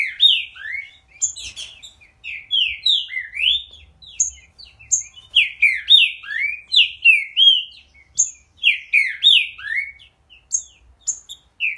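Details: Energetic Green-winged saltator song, an almost continuous stream of loud, rich whistles that rise and fall in quick succession, punctuated by high, thin notes and short pauses.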